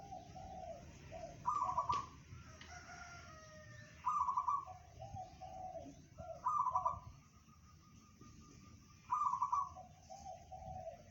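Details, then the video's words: Zebra dove, local perkutut type, in 'bedah karang' style song said to reach 500 metres: four bright trilled coo phrases about every two to three seconds, joined by lower soft coo notes, over faint constant hiss. "perkutut lokal suara bedah karang tembus 500meter"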